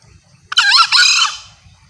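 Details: Loud, clear call of a female green junglefowl that summons males, used by hunters; a harsh two-syllable cry lasting about three-quarters of a second, with a brief gap between the parts and faint low rumble behind.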